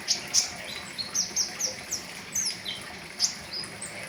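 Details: Pentis raja flowerpecker singing in the riwikan style, full of fill-in notes, recorded for tutoring caged birds; thin, very high chirps and short down-slurred ticks in quick, uneven bursts over a steady hiss.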